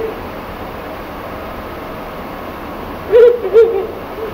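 A Ural Owl gives two deep, short hoots about half a second apart, after a few seconds of quiet background hiss.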